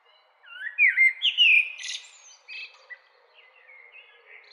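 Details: Common blackbird giving a loud, fluting warble of several swooping whistled notes, followed by a high scratchy burst and softer trailing chirps that taper away.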